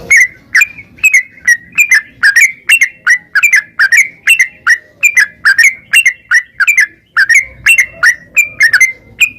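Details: Yellow-vented bulbul in gacor, ropel-style singing, used to stimulate other bulbuls to sing: bright, bubbly slurred notes near the same pitch, delivered steadily two to three per second without pause.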